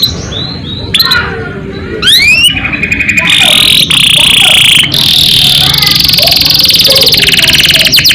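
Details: Canary in full rolling song, played to get other canaries singing: loud, dense, sustained high trills and buzzy rolls that shift pitch every second or so, with a few rising whistles early on, recorded very loud.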